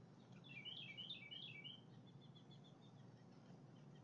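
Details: Two Blue Jays in the morning on 8 July 2020: a quick burst of sharp, high chirping notes packed into about a second, then fainter scattered notes, over a steady low rumble.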